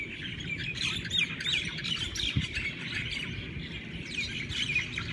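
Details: Hawaiian birds in a morning chorus: many overlapping high chirps, quick trills and short whistled notes at an irregular pace, over a steady low rumble of background noise.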